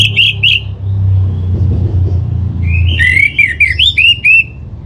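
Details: Orange-headed thrush song used as a lure to make kept birds sing: short clear whistled phrases at the start, then a longer run of slurred rising and falling whistles, over a steady low rumble like traffic.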